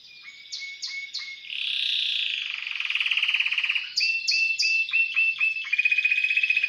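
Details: Caged Timbrado canary, put in the cage the night before, singing clipped whistled notes, a long buzzy roll, then rhythmic pulsed trills and sharp descending note pairs, with a man encouraging it quietly.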